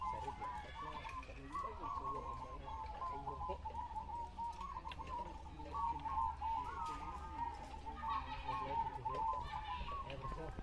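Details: Competition zebra doves in Ngawi, Indonesia, recorded on 18 September 2022 during a mixed session: dense overlapping rolling coo phrases from several birds sound almost nonstop. Faint voices and a low hum are also heard.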